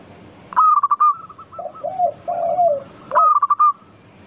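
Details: A lively local zebra dove sings as a lure for other doves: rapid clipped cooing notes, then lower slurred rolling coos, before the quick staccato run starts again.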